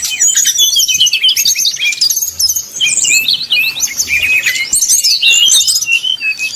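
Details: Brown-chested jungle flycatcher singing 'nyuling' style to provoke rival birds: rapid high twittering with zigzag whistled notes and trills running continuously, faint low hum beneath.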